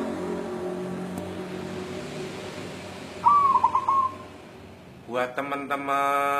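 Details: Local wild-type white zebra dove calling while looking for a mate: a steady cooing note near middle pitch breaking into a few quick stuttered beats, heard once amid a droning harmonic hum before and a buzzy, rattling sound after.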